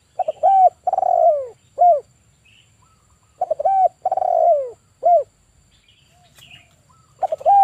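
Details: Male spotted dove, an actively calling lure bird for trapping, giving its 'kuk 1' call: a stuttered start, a long, low, falling coo and one short closing note. Three phrases about three seconds apart, with quiet pauses.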